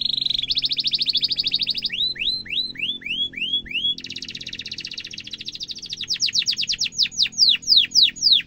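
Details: Singing canary, meant as easy-to-copy tutor song for young birds: fast high trills give way to looping downward whistled notes, then a long ringing roll and a finale of sharp descending sweeps, about three per second, over low background hum.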